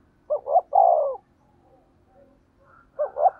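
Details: Spotted dove decoy call in a fast thổ đồng style: two short rising coos then a long lower drawn-out coo, the phrase starting again near the end.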